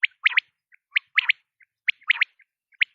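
A quail gives sharp, liquid chirps in quick groups of two or three, repeating about once a second, with soft single notes between; no other sounds.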